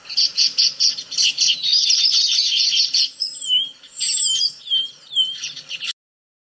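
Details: Red-billed quelea (Quelea quelea) call from a Southern African bird-call quiz: a dense, buzzy chattering for about three seconds, then a few high, slurred whistled notes ending abruptly.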